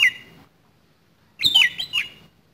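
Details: Fighting oriental magpie-robin with a coarse fill-in song: a squawky whistled note, silence, then a rough phrase of looping, grating whistles and squawks; faint low background hum.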